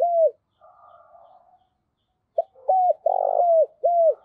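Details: Spotted dove decoy calling to goad rival wild-caught doves into responding. One falling coo comes first, then faint murmuring. A loud phrase of short coos and a long rough note follows, ending with another falling coo.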